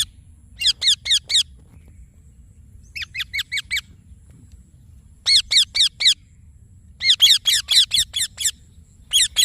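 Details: Indian ringneck parakeet, a green parrot, chirping in bursts of four to seven quick, shrill notes separated by pauses of a second or more; quiet background.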